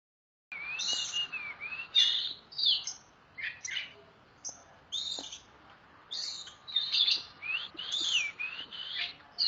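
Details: Oriental magpie-robin in loud, continuous song, used for tutoring songbirds: varied high whistles and buzzy phrases, some rising and falling, in short bursts with brief pauses.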